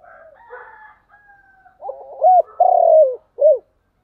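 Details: Cooing spotted dove, thúc gù style: soft murmured notes and a thin level whistle lead into a stuttering note, then a loud arched coo, a long sustained coo, and a short closing coo.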